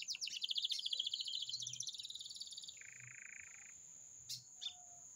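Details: Lined seedeater kept in a cage, singing metralha style: a fast buzzy trill of rapidly repeated notes fading gradually, followed by a lower harsh buzzing phrase and two brief sharp notes, with a thin steady high tone behind.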